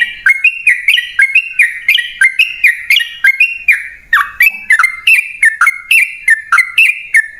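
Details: Continuous long 'ropel' song of yellow-vented bulbul, played as a lure so caged birds respond: bouncy, bright two-note phrases sung back to back without break, shifting up and down in pitch.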